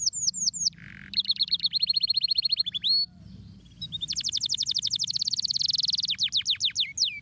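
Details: Canary stimulating song: a few high falling notes, a lower buzzy burst, then a rapid even trill, a brief pause, and a dense fast trill breaking into slower descending whistles.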